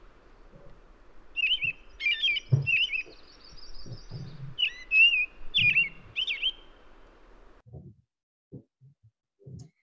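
American Robin singing clear, whistled phrases that rise and fall, delivered slowly and steadily in separate notes, with low background hum and a few soft thumps.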